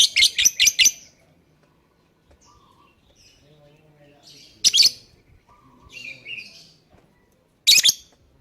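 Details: Lovebird song for luring other birds into singing: a fast burst of five shrill chirps, then quieter twittering with two more loud, harsh chirps spaced a few seconds apart.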